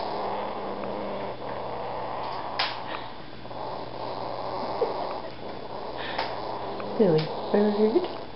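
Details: Three 6-week-old baby Senegal parrots give a steady, low, rasping purr-like churr throughout, with a few short squeaky notes and soft clicks near the end.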